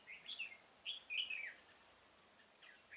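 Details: Trapping decoy red-whiskered bulbul in a pomelo garden, 25 October 2017, singing to attract wild birds; two quick bursts of jaunty warbled whistles, then a pause and softer short notes at the end.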